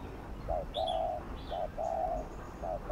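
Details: Spotted dove 'gù' coos used as a lure for captive birds, heard fainter against a hissing, noisy background. Short and longer low coos alternate steadily, with thin higher chirps from other birds above.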